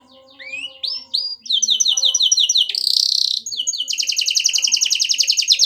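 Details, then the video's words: Canary pouring out a continuous, energetic song: rising whistles, then fast repeated buzzy trills and rapid chattering rolls of high notes with barely any pauses. "burung kenari gacor"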